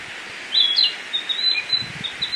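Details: A wild tledekan in Indonesia sings thin, high whistled notes, a quick cluster at first and then scattered single notes, over a steady hiss of insects or background noise.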